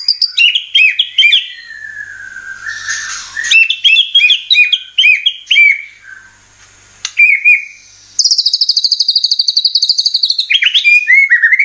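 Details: White-rumped shama (murai batu) lure song meant to provoke singing: clusters of sharp chirps, a long falling whistle, then a fast, even rattle of high repeated notes. The recording is spliced, with abrupt cuts.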